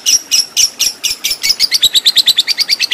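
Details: Lovebird fighter with a long ngekek song; harsh high chirps start slowly, then speed into a rapid rattling chatter of evenly spaced notes, bright and shrill, with nothing else audible.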